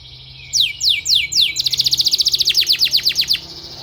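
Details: Canary therapy song for training canaries, opening with three or four high falling sweeps that lead into a quick, steady trill of bright clipped notes.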